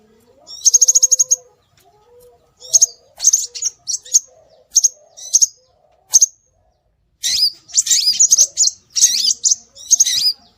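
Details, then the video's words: Scarlet minivet calls used to lure birds: opens with a fast trill of high piping notes, then scattered high whistles, and finishes with busy overlapping chirps and slurred notes. "Suara Burung Sepah Raja"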